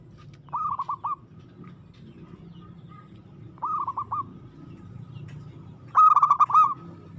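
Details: Aggressive song of a local zebra dove: three rippling phrases of rapid stuttering coos, the last loudest and richest, spaced a few seconds apart with low background hum.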